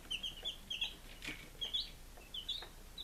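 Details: Five-day-old baby chickens in Lunenburg, Massachusetts, recorded 23 July 2017, giving high, thin peeps in quick bursts of two or three notes, with a short scratchy rustle in the middle.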